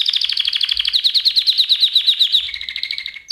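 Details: Canary singing for a song lesson: a quick even trill of pulsed notes, about ten per second, gradually dropping in pitch and closing on a lower steady tone.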